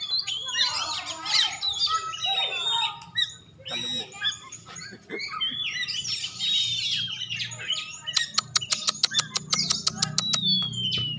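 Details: White-rumped shama, a prize-winning competition bird from Aceh, singing a dense run of varied whistles, slurred sweeps and chattering notes, ending in rapid clicking bursts; a low hum runs underneath.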